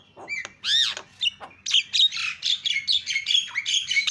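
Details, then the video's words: Javan myna provoking call used to make other mynas call out: a harsh downward squawk and a few rasping notes, then a fast chattering series of scratchy, buzzy phrases with thin whistles. "GAK PERLU LAMA BIKIN JALAK KEBO JADI TERIAK"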